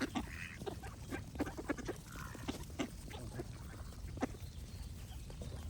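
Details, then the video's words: Ducks quack in short nasal bursts, some paired or in quick runs, while a soft low rumble continues and brief higher bird sounds drift in. "Cute Ducks Quack Sound Effects with Birds Singing"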